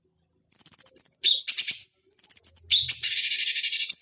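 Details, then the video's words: Sustained high whistles lead into buzzy chatter from a cucak cungkok bulbul, recorded as a master lure for fighting birds, repeated after a brief pause and ending in a long fast rattle. "Masteran Pancingan Cucak Cungkok Ampuh Untuk Terapi Dan Masteran Burung Petarung"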